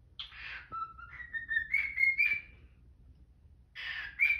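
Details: Pet cockatiel singing its morning tune, a run of clear whistled notes that step up and down, while a Quaker parrot breaks in with short harsh squawks at the start and near the end.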